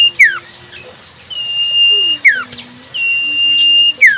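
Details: Common Iora singing in the wild: level high whistles ending in downward slurs, alongside a faint low hum and lower sliding tones in the background.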